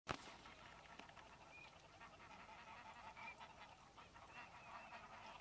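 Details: Eurasian teal (Anas crecca) at the Soča river mouth nature reserve (Izliv Soče) on 4 January 2024 gives a few brief, clear, high whistled 'krik' notes spaced well apart, over a steady rush of wind and distant waterfowl.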